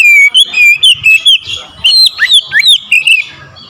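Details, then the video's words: Aggressive song of an oriental magpie-robin stirred up to challenge a rival: a continuous run of loud whistled notes, slurred up and down, mixed with sharp ticks, fading at the end. "KICAUAN KACER POWER KERAS | MEMANCING EMOSI KACER LAWAN LANGSUNG NGOTOT BONGKAR ISIAN"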